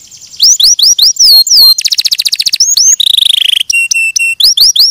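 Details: Canary song mixing looping whistled notes, a dense rapid trill, a buzzy lower rattle, and steady flat high tones with short upswept slurs.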